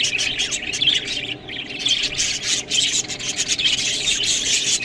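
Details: Feeding budgerigars, munching green food, let out scratchy warbled chirps in uneven bursts, with a brief lull midway and crisp clicks between calls.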